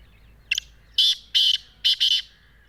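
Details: Black francolin calling in Sindh, Pakistan: a brief introductory note followed by harsh, grating high-pitched phrases in a clipped rhythm, the pattern repeated in quick bursts over about three seconds.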